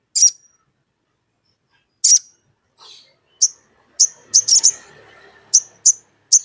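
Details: Sogon calling a rival to stir another sogon into singing: spaced, sharp, very high chip notes, sometimes in quick pairs, with a faint lower murmur in the background.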